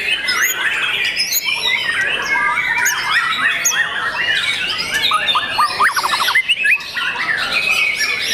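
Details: Young captive white-rumped shama pouring out a busy song of quick whistles, rattling trills and sharp up-flicked notes, nearly continuous over several seconds.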